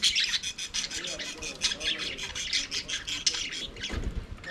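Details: Budgerigars singing and playing in their aviary make a dense, rasping chatter of quick scratchy pulses running steadily throughout, with a soft thump near the end.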